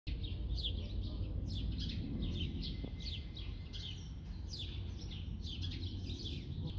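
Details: Birds singing, giving quick, high chirps and downward-sweeping notes in rapid succession against a steady low rumbling background noise.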